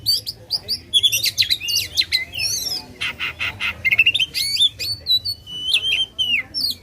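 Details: Oriental magpie-robin in loud, vigorous song used to provoke contest birds: rapid mix of high whistled slurs, harsh buzzy bursts and chattering notes, with pulsed rattles around the middle and clear rising and falling whistles near the end.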